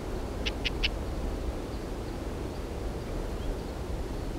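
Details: Lesser grey shrike, hunting: three short, harsh clicking notes in rapid succession early on, then only a steady low rumble of wind or distant traffic.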